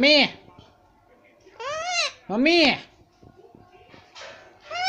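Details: Indian ringneck parakeet talking indoors. Three arching, nasal words like "Mommy" come about a second apart, followed by a fainter squawk, with faint music behind.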